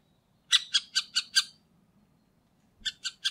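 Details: A middle spotted woodpecker in Liepāja, Latvia, in November 2023 gives harsh, squawky notes: five quick ones about five per second, a pause, then three more, over a faint low hum.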